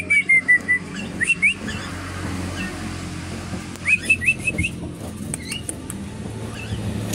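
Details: Caged brown-chested jungle flycatcher from Bali singing at a bird kiosk: short, clear whistled phrases and quick rising notes in two bursts, over a steady rumble of passing traffic.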